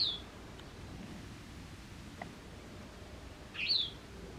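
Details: White wagtails in autumn at a house garden amid fierce territorial disputes, some birds flying into the house; two short, sharp high chirps, one clipped at the start and another near the end, over a quiet low background hum.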